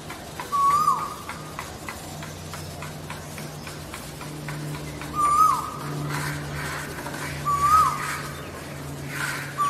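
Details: Male Asian koel singing on a song territory meant to attract females: brief clear hooked notes that rise then fall, repeated every two to three seconds, with a constant low droning hum and scattered clicks behind.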